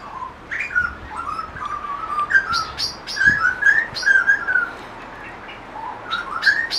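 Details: Grey butcherbird (Cracticus torquatus) singing in a backyard, a run of rich, fluting whistles that rise and fall, with a few higher sharp notes mixed in.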